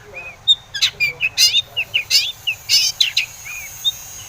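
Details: Long-tailed shrike lure song meant to stir other shrikes into singing: a jumbled mix of short chirps, clicks and harsh buzzy bursts, irregularly spaced over four seconds.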